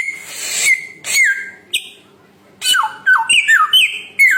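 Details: Samyong bird alternating harsh noisy notes with clear whistles that sag downward, then a run of five or six short descending whistled notes in quick succession.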